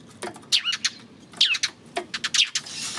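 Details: On 28 May a Eurasian tree sparrow chirps repeatedly, each high note falling quickly in pitch, in short runs separated by brief gaps, ending with a soft rushing noise.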